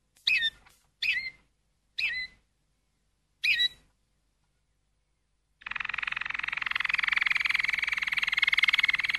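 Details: Four separate sharp, swooping chirps about a second apart from a Malinois canary, then a silence before a loud continuous rolling trill starts and carries on steadily.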